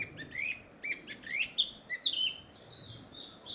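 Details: Narcissus flycatcher in a breeding-season forest, singing actively to proclaim its territory after returning from southern countries; a quick run of short whistled and chirping notes, some rising and some falling, followed by a higher buzzy phrase.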